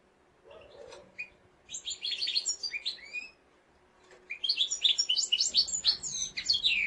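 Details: Fast warbling song of a mosaic canary: a phrase of quick twittered notes, a short pause, then a longer, louder burst of rapid chirps and sweeping whistles.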